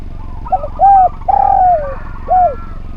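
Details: Spotted dove, a lively, harmonious singer, cooing in a tutor recording meant to teach other doves: four hollow, arched coos over three seconds, the third longest and gently falling, against a faint low hum.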